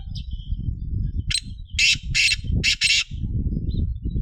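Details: A black francolin calls with a grating series of five broad, scratchy notes, the middle ones longest, over steady low rumbling wind or handling noise. A brief thin chirp is heard early on.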